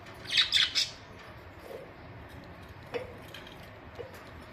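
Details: Pet budgerigars kept at home, recorded on May 24, 2023; a quick burst of three or four harsh, scratchy chirps near the start, then a few faint clicks and soft rustles in a quiet room.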